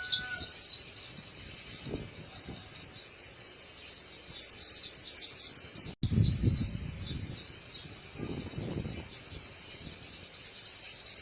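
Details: Crisp-voiced white-eye giving rapid high twittering song in repeated bursts of quick slurred chirps, a short break near the middle, with low rumbling background noise.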